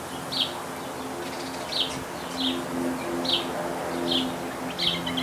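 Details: A northern mockingbird in a backyard gives short, bright chirpy notes about every second and a half over a steady low hum of background noise.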